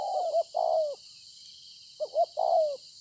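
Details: Spotted dove, a newly wild-caught field bird, recorded 26 September 2020, cooing well: two phrases about two seconds apart, each a couple of short rising notes followed by a long, slightly falling coo, over a steady high hiss.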